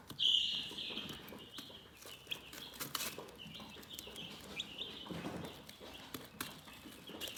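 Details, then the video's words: Chickens chirping softly in a relaxed setting: an overlapping stream of high, slightly rising peeps, a louder burst early on, plus frequent dry clicks and brief rustles. "Chicken Relaxing Soothing Chirping Sounds"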